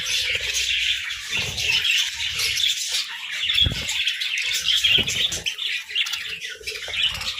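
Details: Morning parakeet chirping from several birds at once, an unbroken high warble of twittering notes, with soft thumps and wing flutters in the low range.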